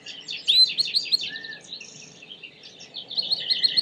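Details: Short burst of Belgian canary song: a rising whistle, fast chattering notes, a brief low whistled slur and a buzzy segment, ending in a rapid rolling trill.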